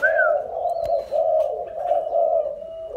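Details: Captive spotted dove in Nam Dinh, Vietnam, recorded 26 April 2022, cooing in a low, mellow, nearly continuous run, gently rising and dipping for three seconds, with a faint high whistle and indoor echo.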